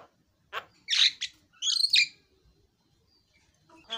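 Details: Javan myna giving a few loud harsh, scratchy notes and a brief buzzy trill, separated by short silences.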